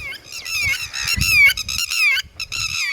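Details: Red-wattled lapwing (tateri) with chicks: loud, rapid run of shrill, harmonic calls, each note sliding down then up, packed closely together with only brief gaps, over a low rumbling background.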